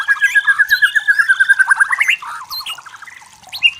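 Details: White-rumped shama from forest habitat: a fast rolling trill of repeated notes for two seconds, then softer varied chirps and a final sharp high note.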